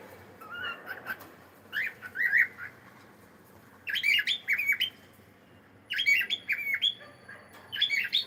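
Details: Cockatiel singing: bursts of chirpy, squawky whistled notes come in clusters about every two seconds, each cluster of several quick rising and falling notes separated by quiet pauses.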